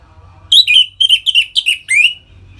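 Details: Orange-headed thrush in full ngeplong song, kept caged and played to excite other birds into breeding mood: a quick run of six clear, slurred whistled notes, several falling in pitch, each sharply separated, with little background noise.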